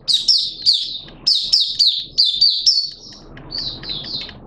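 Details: Caged Malaysian oriental white-eye in full song: bright, high chirps in quick runs of descending notes, about four per second, fading to softer notes over rising background hiss.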